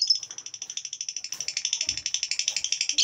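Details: Songbird on a masteran training recording for songbirds: a fast, evenly pulsed high trill at about four notes per second, steady and sustained, with a brief low knocking sound in the middle.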